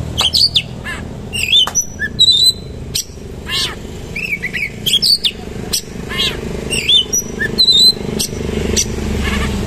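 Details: Oriental magpie-robin in full song, delivered in a rough style with rolling shot-like bursts and rich fill. Varied bright whistles, sharp chirps and sweeping notes come in quick clusters over a steady low hum.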